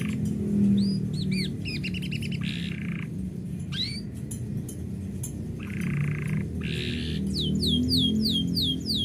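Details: Canary, kept by an owner who is about to leave, sings scattered phrases: short whistled notes and brief buzzy bursts separated by pauses, ending in a run of quick falling chirps, with low background noise.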